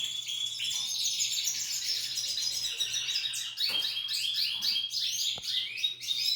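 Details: Singing female Belgian canary: rapid high trills and rolling warbled runs, getting louder and choppier in the second half, over a constant faint low hum.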